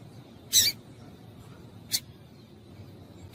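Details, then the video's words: Female double-collared seedeater call used to excite males: a strong high chip, a thinner fainter one over a second later, then another loud chip at the end, with soft hiss between. "Melhor Piado de Fêmea de Papa capim Para Esquentar Papa capim"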